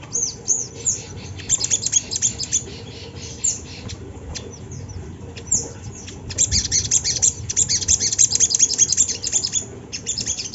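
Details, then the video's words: Sunda laughingthrush as a lure for other birds: repeated bursts of quick, high, chirping notes separated by gaps, growing into a long dense chattering run near the end over low rumbling background. "Suara sogon yang bikin bunyi burung bahan"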